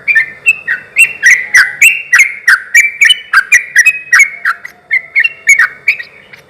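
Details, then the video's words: Sooty-headed bulbul in energetic song meant to provoke other bulbuls into answering; short bubbly phrases of two or three notes follow one another rapidly and steadily, about three to four a second, throughout. "suara trucuk gacor ini ahlinya bikin pancingan trucuk yg macet akibat ombyokan pasti nyaut bunyi"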